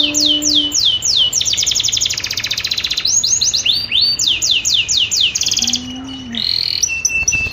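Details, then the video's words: Female canary in breeding condition giving a mating call: rapid series of falling high whistled sweeps, dense buzzy trills and repeated rising notes, steady and loud throughout, with a faint low steady hum beneath. "Audio panggilan kenari betina birahi"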